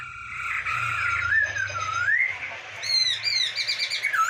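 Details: Masked laughingthrush (poksay hongkong) song used as a training recording: long, wavering whistles slurring down and up, then quick high whistled upsweeps, with a low hum and background hiss.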